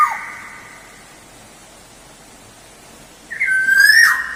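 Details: Black-naped oriole lure sound: a fading whistle at the start, nearly three seconds of quiet, then a loud rich whistled phrase sliding downward with harsh overtones.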